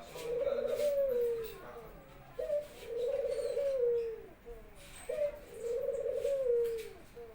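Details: Barbary dove at home in Indonesia, singing steadily to welcome its owner back from work. Three evenly paced coos, about two and a half seconds apart, each a sharp short note followed by a long, purring, gently falling roll.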